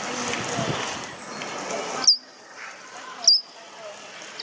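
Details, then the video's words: An ornamental starling gives three short, sharp, high chips about a second apart, after a stretch of broad rushing noise at the start. "SOUND OF A ORNAMENTAL STARLING 🔊 What does a ornamental starling sound"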